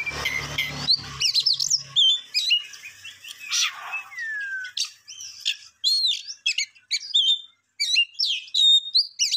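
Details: Songbird delivering rapid, varied chirps and slurred whistles, including one long descending note, in bursts split by brief pauses; a low hum lingers only in the opening seconds.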